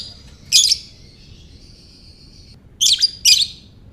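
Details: Lovebird giving ngekek calls, sharp shrill chattering bursts with a thin sustained whistle in between, three bursts in four seconds, clear and close with a quiet background.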